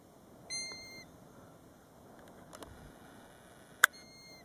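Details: Golden plover calling beside its roadside nest at Batsfjord, recorded from inside a car: a single clear, sustained whistle near the start, then a sharp click and the start of another whistle at the end.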